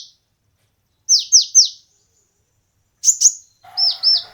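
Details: Brown-throated sunbird (kolibri ninja), a competition bird, singing: three quick downslurred whistled notes, a pause, then two sharper high notes and two more downslurred notes, clean with no other sounds.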